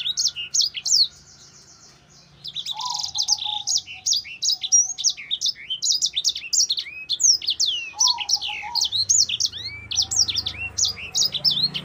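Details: Sanger in energetic, fast-rolling song presented as tutoring material for other songbirds: dense runs of high chirps and quick sweeping whistled notes, a short pause near the start, then continuous busy twittering with a faint low hum underneath.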